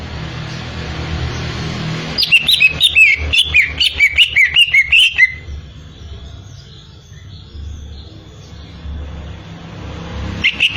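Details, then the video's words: Greater green leafbird giving a burst of quick, high twittering notes for about three seconds, rapidly repeated with some rising slurs, followed by a long quiet stretch with faint background hum and a brief chirp at the end. "burung cucak ijo"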